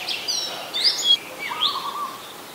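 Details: Adult red-whiskered bulbul at Ubon Ratchathani, Thailand, on 26 December 2020, giving quick high whistled sweeps followed by a lower drawn-out whistle, against a constant hiss of outdoor noise.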